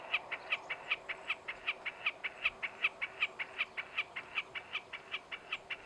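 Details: Wilson's snipe standing on a fence post in the Alberta foothills south-west of Calgary, Canada, on a warm July day in 2017. It gives a steady series of sharp, clipped notes, about two to three per second, over a quiet rural background.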